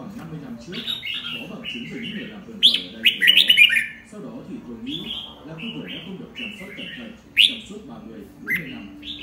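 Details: Red-whiskered bulbul singing in the morning, a run of short whistled, slurred notes around mid-high pitch, with louder bursts near the middle and end, over a low murmur of voices.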